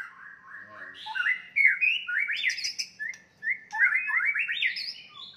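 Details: White-rumped shama in fighting song that provokes rivals: a series of whistled slurred notes climbing in pitch, rapid upward-stepping phrases with brief pauses between bursts.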